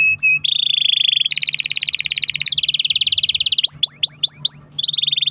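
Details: Canary long-roll song to spur other canaries: short whistles, a low buzzy roll, an extended high fast trill, five swooping downward sweeps, then another buzzy roll.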